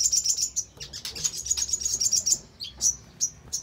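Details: Crimson sunbird song used as a lure to make other birds respond and sing: a rapid, very high, thin twittering trill for over two seconds, then a few separate sharp, piercing chirps.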